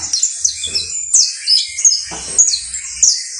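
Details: Saffron finch song, the local canario basto criollo: dense, high, tumbling chirps and short downslurs run together, with a soft lower whistle beneath and a light low hum.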